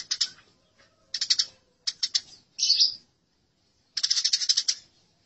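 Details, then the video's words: House sparrows give harsh, high fighting chirps in quick chattering bursts, five clusters in about five seconds, with short silent gaps between them; a tutor recording for training birds. "Gereja Tarung"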